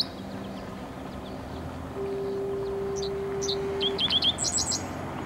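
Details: Dickcissel singing while hunting at Steelworker's Park, an old US Steel plant site on Lake Michigan in Chicago; scattered sharp chirps, then a quick run of high buzzy repeated notes near the end, with a long low steady harbor horn in between.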